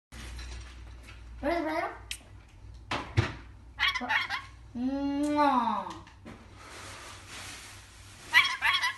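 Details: Rainbow lorikeet kept as a pet, talking: short, harsh, voice-like words repeated a few times, with rasping screechy syllables and bending tones in between, indoors in a small room.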